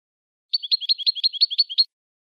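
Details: Saffron finch song, recorded for training captive birds: an even, rapid trill of about a dozen high, alternating two-part notes lasting just over a second, with silence before and after.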